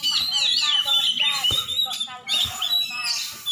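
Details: Champion oriental magpie-robin from Aceh delivering rapid, squeaky whistled phrases and trills in fast succession, with a faint low rumbling underneath and a couple of clicks.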